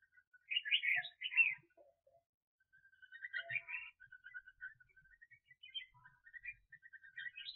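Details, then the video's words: Red-whiskered bulbul kept as a decoy for trapping during the 2021 bird season, giving bright warbled whistled phrases, two loud bursts early, then a long run of softer, thin repeated notes, in a quiet indoor setting. "Chào Mào Mồi"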